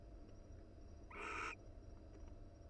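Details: A wild barn owl in a nest box, cuddling with its mate, utters a single brief, rasping, squeaky call of about half a second. The call is layered and slightly tonal, set over a constant low hum.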